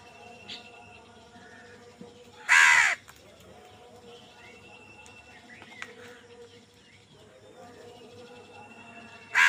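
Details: Crow competing for food: a single loud, grating caw, then a long pause with faint scattered background noises, and the start of another caw cut off at the end.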